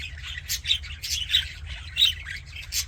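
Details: Happy budgie chatter: short squawky chirps in quick bursts, roughly every half second, with scratchy warbling between them and a low background hum.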